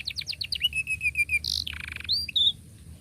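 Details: Young-canary training song from a canary: quick descending chirps, a fast even trill, then a harsh buzzy burst and clear whistled notes, all high-pitched and loud.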